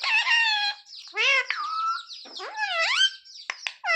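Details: Parrot mimicking human words in continuous, buzzy, harmonic syllables with pitch swoops up and down, ending in short clicks.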